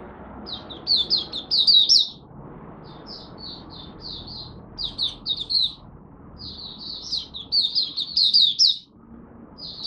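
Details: Caged Malaysian oriental white-eye, kept as a hobby songbird, singing while in minor moult and off form: high thin twittering phrases of rapid chirps, delivered in bursts of one to two seconds separated by short pauses, with faint low background noise.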